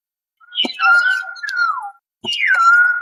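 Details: Common hill myna making clear whistles: a steady mid-pitched tone that bends downward, a pause, then a higher note that drops and levels off. Sharp clicks come just before each phrase.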